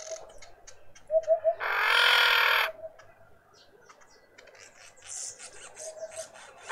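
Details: Red-winged starling, a female with an injured, deformed beak, in a suburban garden in Pretoria, South Africa, utters one loud rasping note of about a second. Quiet cooing and faint chirps from other birds surround it.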